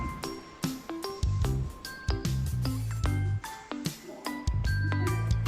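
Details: Plucked, percussive instrumental music with a steady beat and bright ringing notes, and no animal voices.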